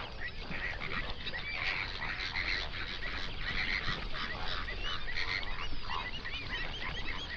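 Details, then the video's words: Flamingos, hundreds on a national park lake in South Africa's Overberg region at sunrise, recorded binaurally: a dense, continuous chorus of nasal, goose-like honks and chatter overlapping without pause, with steady low rumble underneath. "Flamingo sounds"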